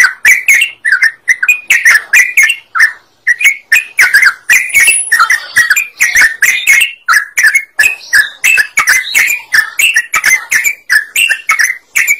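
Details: Sooty-headed bulbul singing energetically, used to provoke other birds into song: continuous cascade of short, bubbling, whistled notes, varied in pitch and packed closely over twelve seconds.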